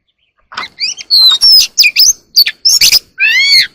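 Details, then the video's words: Oriental magpie-robin singing early in the morning, a burst of varied loud whistled phrases, some rising, some falling, with short buzzy and chattering notes in between, about a dozen quick elements in a row. "kacer alam | warbler sings early in the morning || Chòe than hót đấu chim rừng quá sung"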